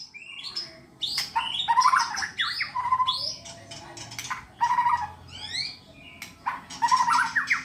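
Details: White-rumped shama kept caged for song contests, pouring out varied phrases: low warbled whistles, harsh rasping bursts and rising high sweeps, with brief gaps between phrases.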